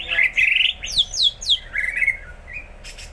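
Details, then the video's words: Greater green leafbird now singing often, delivering loud buzzy chirps and a run of steeply descending whistles, followed by softer warbling notes and a brief high burst at the end. "C.hijo mulai rajin bunyi"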